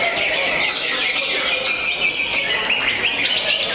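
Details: Greater green leafbird singing in competition in the 'jangkrik balap' (racing cricket) style, rapid cricket-like phrases, performing 'konslet'; dense high chirps, trills and short whistled slurs, with other birds overlapping throughout.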